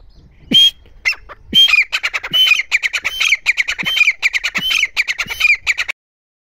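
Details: Female grey francolin calling: one isolated high whistled note, then a fast, continuous run of harsh squawking notes, roughly five per second, for about four seconds before stopping abruptly.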